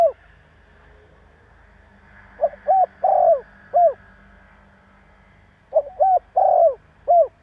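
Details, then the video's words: Spotted dove provoking call repeated in two matching phrases about three seconds apart: quick short notes, a long husky downslurred coo, and a brief ending coo, over a faint low hum. "Tiếng chim Cu gáy Gáy giọng bổi nghe cực ghét / Chim cu gáy kích bổi 100% mở là gáy"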